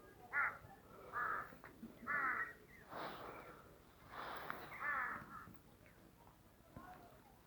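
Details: Crows cawing in Tirthan Valley, Western Himalaya: a run of harsh caws roughly once a second, broken by broader rustling noise midway, ending with faint distant calls.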